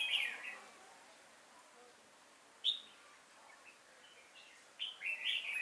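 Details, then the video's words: Decoy red-whiskered bulbul singing at a bulbul trap on 5 October 2018: three separated bursts of short, sharp chirpy warbles with quiet gaps between them. "Bẫy chào mào Nết chơi siêng cánh lăng xăng ngày 5/10/2018"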